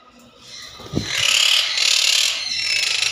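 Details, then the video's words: Monk parakeet giving a continuous harsh, grating chatter that swells after a soft low thump and holds steady, rasping and broadband, for about two seconds. "monk parakeet"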